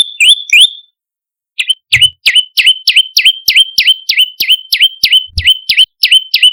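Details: Olive-backed tailorbird calls played as a lure to attract birds: two quick high chirps, a pause of about a second, then a steady series of sharp, downward-flicking chirps repeated about three times per second.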